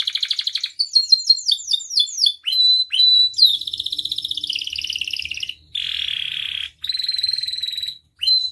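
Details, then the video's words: Canary performing varied filler song: rapid repeated sweeping whistles, clear held tones, and dense buzzy trills, separated by short gaps, with a faint low hum underneath. "SUARA KENARI AMPUH [#15] MASTERAN DAN PANCINGAN KENARI GACOR FULL ISIAN"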